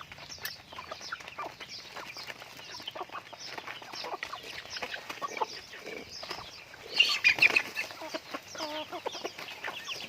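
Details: Pet chickens being raised, giving dense, rapid, high-pitched chattering calls in quick overlapping notes, with a louder cluster of calls about seven seconds in.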